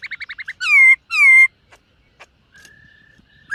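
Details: Silver-eared laughingthrush in morning song practice: a quick run of six short whistled notes, two loud falling whistles, then faint scattered sounds and a thin level whistle.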